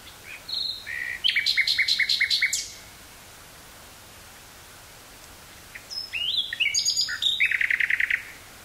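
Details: Common nightingale singing in woodland near Burgh-Haamstede, Netherlands, on 18 May 1983, taped on a portable cassette recorder with stereo microphone: two bursts of varied phrases, rapid repeated clicking notes and whistles, separated by a few seconds of quiet.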